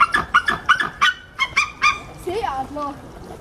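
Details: A captive white-tailed eagle at Wilhelma zoo, summer 2013, gives a fast run of about six sharp, yelping notes, then softer, lower wavering cries that trail off.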